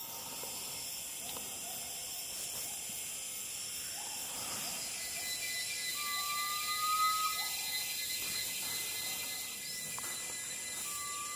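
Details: Garnet pitta calling in Taman Negara Sungai Relau, Pahang, Malaysia, August–September 2022: a single level, pure whistle about a second long, a second one starting near the end, over a dense high hiss of insects and other faint bird notes.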